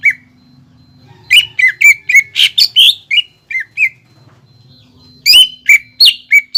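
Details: Greater green leafbird song serving as a lure to make a bird sing: rapid series of bright, looping whistled chirps in two bursts, with a faint low droning hum underneath.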